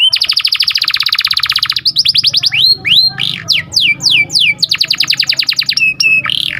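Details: Atlantic canary in a rolling 'cuit cuit' song meant to train young birds and set breeding canaries singing. A long fast trill runs almost two seconds, followed by falling slurred whistles, another quick trill and bright held notes.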